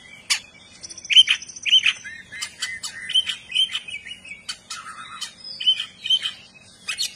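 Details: Oriental magpie-robin, a gacor kacer singing with its tail spread: varied whistled phrases around a high pitch, interspersed with sharp clicks and buzzy notes, a rich, busy medley.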